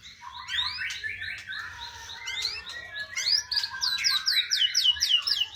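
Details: Song of a white-rumped shama (murai batu): mixed warbles and whistles that build into a fast series of repeated, sharply falling high whistles, about four a second, in the last half.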